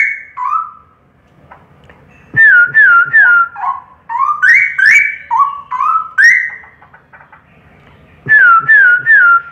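A straw-headed bulbul sings loud, rich, liquid whistled phrases of swooping, falling and rising notes, delivered in bursts of one to two seconds with brief pauses.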